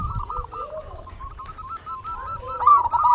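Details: Local zebra dove song used as a lure for other doves: quick, overlapping hooked coos run continuously, with a thin high whistle briefly above them.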